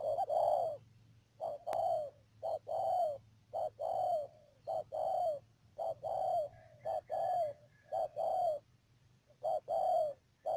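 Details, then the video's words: Cooing of a spotted dove decoy used in bird trapping, Mương Điều area, Cà Mau province, Vietnam, 12 March 2019: a long run of quick low two-part coos, a clipped note and a longer falling note, repeated steadily. "BẪY CHIM CU GÁY CÀ MAU .BỔI MƯƠNG ĐIỀU"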